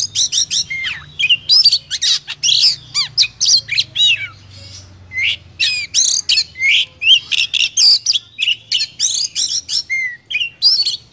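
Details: Oriental magpie-robin singing in the 'chỏ mồi' style, Vietnam, used to stir other birds into song: a long, varied stream of sharp chirps, downslurred whistles and buzzy notes in quick bursts, over a faint low hum.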